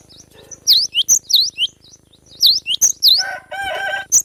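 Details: Young wild cinereous tit in forest, singing a full 'besetan' song: sharp, clear whistled V-shaped notes, often paired, given in quick bursts, followed by a short buzzy chattering phrase and a final high note.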